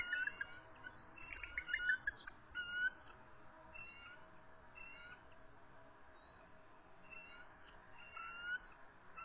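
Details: Stressed resident eagles at their nest on a March 2014 evening, defending against an intruding adult: a cluster of piping, trilled notes early on, then sparse, thin whistled calls at intervals over steady background hiss.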